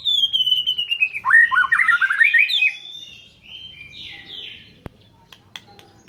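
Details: White-rumped shama song opening with a long descending whistle, then a dense tumble of twisting warbled notes, fading into softer scattered phrases and a few sharp clicks.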